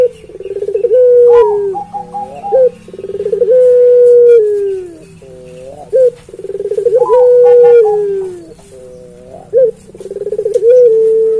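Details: Puter pelung dove, a Barbary dove kept as a tireless caller for training other birds, gives long drawn-out level coos that sag at the end, each led by short stuttering notes and repeated several times, with faint music.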